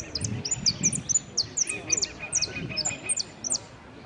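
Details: Saffron finch singing at a competition in Piran on 25/09/16, entered in the "amarillo sin cierre" category. A fast series of sharp, high chirps and short whistled notes repeats throughout, with faint voices murmuring underneath.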